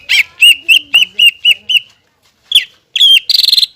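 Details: Actively singing caged greater green leafbird, recorded to coax young birds into song: a run of seven clear, ringing whistles about a quarter-second apart, a pause, then a buzzy rattling phrase.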